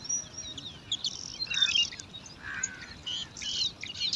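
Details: At a nest in alang-alang grass, five bar-winged prinia chicks scramble for food, producing scattered high squeaks and short buzzy chirp clusters in irregular bursts against steady low noise.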